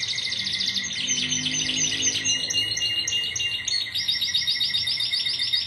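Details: Timbrado canaries from a 2009 team in Greece: stuttering, bubbly trills with clipped high notes, ending in evenly repeated upswept pulses; a faint low hum sounds briefly early on.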